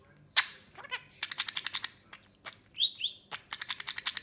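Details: Cuddly pet budgerigar (Melopsittacus undulatus) chatters in rapid clicks and sharp ticks, with a couple of bright upward chirps.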